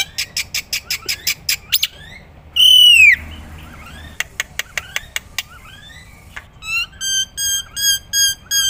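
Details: Varied black-winged myna song meant as a model for other songbirds: a row of sharp ticks, a single loud descending whistle, scattered chips, then a series of pure repeated whistled notes.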